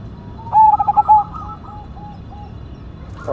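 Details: Single song phrase from a Cemani Majapahit zebra dove praised for its big voice: a sharp opening note, then a rapid string of rolling coos that trail off into softer, slower pulses.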